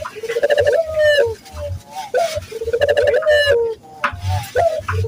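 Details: Local Barbary dove in full voice, played as a lure for training other doves: repeated purring coos, each opening with a quick upward note and sliding into a long, slightly falling trill, separated by brief pauses with low rumbling underneath.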